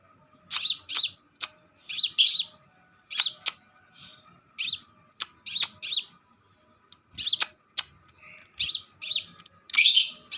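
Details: Crimson sunbird song played as a lure for birds: strings of sharp, high, bouncing chirps and thin clicks, delivered in uneven bursts with short pauses, a faint constant hum behind.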